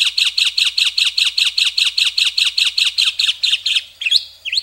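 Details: White-rumped shama delivering a rapid, regular train of harsh buzzy notes, about two and a half per second, ending with a couple of sharp upward-sweeping whistles.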